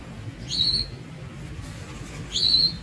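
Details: Young Javan munias (Lonchura leucogastroides), juveniles, give two thin, high squeaky calls about two seconds apart, each briefly rising then held, over a low background rumble.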